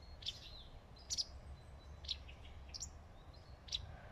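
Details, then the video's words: A wagtail perched on a branch in leafy shade in a forest gives short, sharp high chips, singly or in quick pairs, about once a second, over a low steady rumble. "The wagtail is talking"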